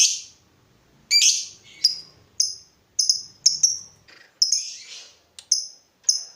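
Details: Singing lovebird used as a tutor recording to excite other lovebirds, giving short, sharp, high squeaky chirps, some single and some in quick pairs, separated by brief silences.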